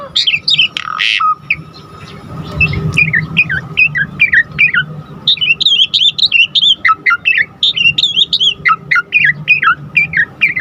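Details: Singing Asian pied starling, played as a lure to set other starlings singing; a harsh raspy note opens a long run of varied whistled and chattering phrases, fast and jumbled, over a low hum.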